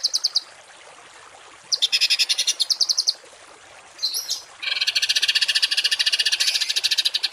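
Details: Rough 'tembakan kasar' masteran recording for training cage songbirds: short bursts of harsh, rattling notes with gaps between, ending in a long, fast, buzzy chattering run.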